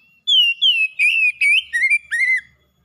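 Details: Caged pet oriental magpie-robin singing vigorously as a lure for silent birds: a burst of six or seven strong whistles, first falling glides, then wavering and upward-curving notes, ending abruptly.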